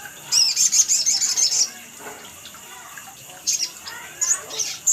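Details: Sunbird lure call used to draw other birds into calling: a rapid run of very high, thin chirps packed into about one and a half seconds, then quiet, followed by two short high bursts later.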